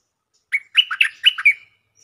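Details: Stripe-throated bulbul song used as a lure: one short, bubbly phrase of about five rich, warbled notes, each rising and falling, delivered quickly in under a second against silence.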